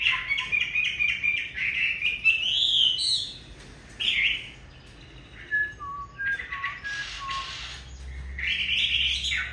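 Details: Rich, loud song of a Chinese hwamei in severe cold: long slurred warbling phrases rising in pitch, a pause, then short clear whistles and a final loud rough burst.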